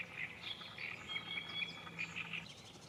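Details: Chirping from a colony of sand martins at their nest site on the Gállego river, Zaragoza, in June: short bright chirps fall in a quick irregular series, with a low steady hum underneath.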